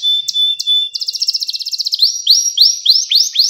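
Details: Singing canary, recorded for teaching young canaries to sing: steady whistled notes, then a fast buzzy trill, then a series of bright upward-sweeping notes repeated several times a second.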